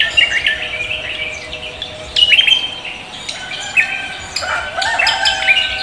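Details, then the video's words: Leafbird (cucak kombo) singing vigorously to greet the morning: bright whistled and chattering phrases with sharp high notes in bursts, separated by short pauses. "cucak kombo koak kelapa gacor menyambut pagi"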